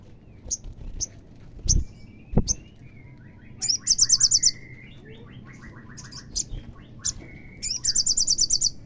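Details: Olive-backed sunbird song used to trigger a caged bird: short high chips, then two bursts of fast shrill trilling interleaved with lower, jumbled twittering phrases, the trill returning at the end.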